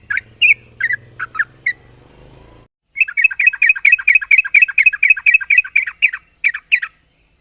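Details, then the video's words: Yellow-vented bulbul in the morning, long ropel song used as a lure: a few separate chirps with low rumble, a short break, then a fast, unbroken chatter of bright bubbling notes, several each second. "pancingan burung trucukan ropel panjang di pagi hari bagus untuk memancing trucuk bahan agar bunyi"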